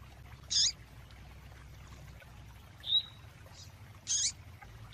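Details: Female double-collared seedeater (coleiro tui tui) calling to stir up the male: short, sharp, high chirps, about four spaced over five seconds, one a thin rising whistle. Steady low hum behind.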